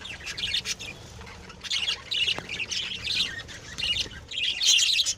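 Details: Lovebirds bred at home as pets, giving a busy stream of high, harsh chirps and squeaky squawks that overlap in bursts throughout, with short quieter gaps between flurries.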